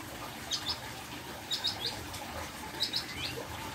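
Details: A hill prinia gives quick, high, sharp chips in clusters of two or three, repeated about every 1.2 seconds over a steady background hiss.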